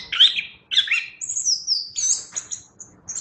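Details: Chestnut-backed thrush singing energetically: two warbled notes, then a long high thin whistle and a string of soft high chips that fade toward the end.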